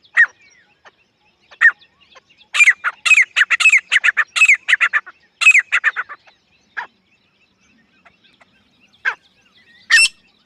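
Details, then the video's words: Grey francolin: sparse single harsh notes, then a two-to-three-second cluster of loud, squawking calls with sharp bright overtones, followed by more isolated notes spaced seconds apart. "Desi gery francolin partridge love💞 teetar ki zabardasth sound effect"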